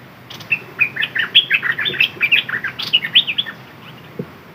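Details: Red-whiskered bulbul decoy bird giving a sustained dok taeng phrase: a rapid, jumbled string of bright whistles and chirps lasting about three seconds, followed by a soft knock.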